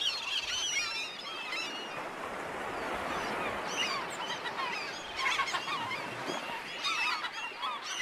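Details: Black-headed gulls in a noisy chorus of overlapping harsh, squealing calls, continuous and dense throughout.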